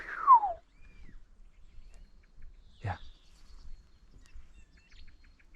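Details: Common starling, the year's first heard, singing in an exceptionally warm mid-February winter and imitating various calls: a loud, falling slurred whistle, then a faint thin high whistle and a sharp buzzy click; one bird sounding like several. Quiet outdoor background.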